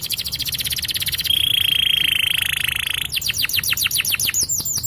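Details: Champion yellow canary in long song: a fast buzzy rattle, a held pure whistle, then a string of rapid downward-swooping notes.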